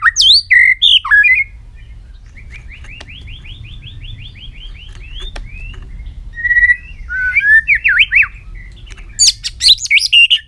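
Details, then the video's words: White-rumped shama switching voices in a long song: opening swooping whistles, then a long soft buzzy rattle of rapid repeated notes, a few mellow phrases and a closing burst of sharp notes over low background hum. "chòe lửa hót giọng dây dài.đập đuôi sàn cầu đảo giọng kích thích căng lửa chòe lửa hót nhiều giọng"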